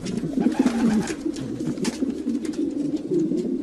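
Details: Low, gurgling coos of domestic pigeons, a few birds calling at once in a soft, wavering drone, with light tapping sounds.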